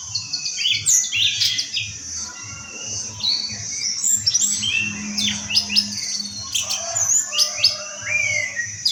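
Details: Orange-headed thrush giving a rich, varied song of whistles, sharp downslurred notes and buzzy fragments in short bursts, over a steady low throbbing hum.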